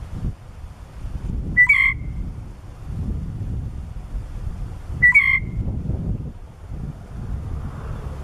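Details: A wild female blue jay giving alarm calls, which she uses for hawks or crows: two whistled calls about three seconds apart, each a short steady whistle with a rough onset, over a loud rumbling background.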